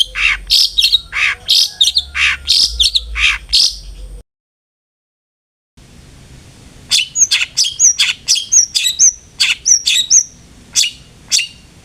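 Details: Long-tailed shrike song played as a lure to make a kept bird sing often, rapid scratchy chattering phrases, a brief silent gap, then thin high whistled notes mixed with chatter.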